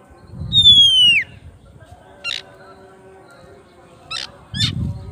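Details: Oriental magpie-robin calling its rival with ngeplong song: one long whistle falling in pitch, then a few short sharp notes, with low rumbling noise at both ends.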